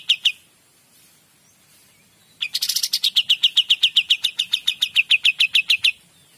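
Olive-winged Bulbul: two brief high notes, then a fast, even run of sharp, clipped notes, about seven per second for several seconds. No other sounds intrude.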